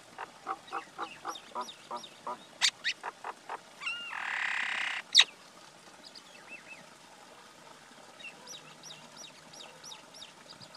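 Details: Common myna, male and female, calling: a string of clipped notes, then a loud harsh rasping burst with a few whistled rising notes, fading into softer scattered chirps.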